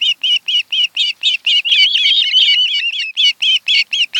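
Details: Osprey pair at their Kent Island, Maryland nest, webcam, 26 July 2018, afternoon: a rapid, regular stream of loud whistled chirps, about four per second, merging into a continuous wavering whistle midway before breaking back into separate notes.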